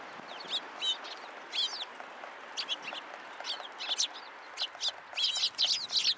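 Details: At a Tenmangu shrine on 20 February 2023, sparrows come to a post to be fed, calling in rapid, irregular high chirps, some slurred and downslurred, growing denser toward the end.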